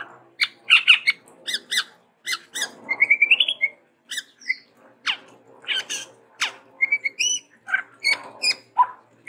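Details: Lively varied chattering from a chestnut-rumped babbler (tepus tunggir merah), given as endemic to Sumatra: sharp scratchy clicks, quick trills and rising whistled slurs over faint background hum.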